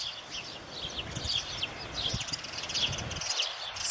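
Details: Birds singing together at dawn in May: overlapping high twitters and brief piping notes from several birds, with low rumbling and a constant soft hiss in the background.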